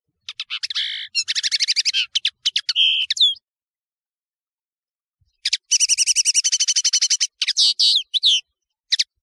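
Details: Song of the European serin, known as nino or camacho, made for song training: two bursts of fast, high, metallic jingling separated by about two seconds of silence, the second burst a dense rattling trill.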